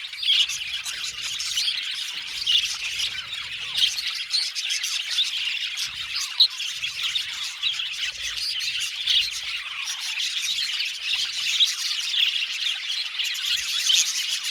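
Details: Aviary colony of budgerigars chattering nonstop, many high twittering chirps layered together, with brief louder squeaky notes popping out every second or so.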